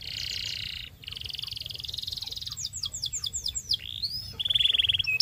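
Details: Belgian canary song meant to coach young canaries: long buzzing rolled phrases, then a string of swooping downslurred whistles and a clear, held, slightly rattling whistle at the end, low hum underneath.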